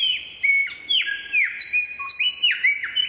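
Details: Superb lyrebird song recorded at Bartlett Olinda State Forest Reserve, loud and clear: ringing whistled notes that drop sharply in pitch, mixed with thin high whistles and one low held tone, delivered in a quick varied sequence.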